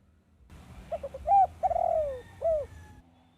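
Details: Spotted dove, played as a lure to attract wild doves for trapping: three quick short coos, then a drawn-out descending coo and a final short coo, low-pitched and mellow, with steady low background hum.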